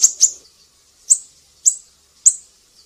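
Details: Siri-siri in vigorous song on a training recording for songbirds: a pair of quick high chips, then single sharp, piercing notes spaced about half a second apart.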